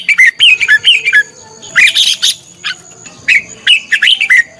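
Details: Contest song of a red-whiskered bulbul lure bird, meant to make other bulbuls sing: loud, busy runs of warbled whistles, with a harsher, dense burst near the middle, nearly continuous throughout.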